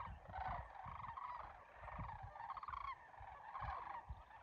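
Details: A flock of sandhill cranes passing overhead at Muleshoe National Wildlife Refuge on a cold December morning, giving a steady chorus of trilled, rattling calls that overlap continuously, with gusty low wind noise beneath.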